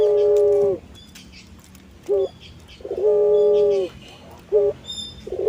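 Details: Puter pelung collared dove, an ornamental cage bird with a long, melodious, lilting voice, giving a drawn-out steady coo, then a short clipped note and a second long coo, with faint rustling between.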